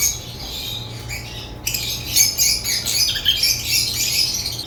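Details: African lovebirds singing: quiet for about a second and a half, then a dense burst of shrill, high chirps and squawks overlapping without pause, over a steady low hum.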